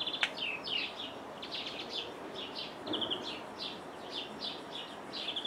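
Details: European greenfinch in Jordan, seen through a window: repeated short buzzy and twittering notes with trills, high-pitched, a sharp click near the start, faint background noise.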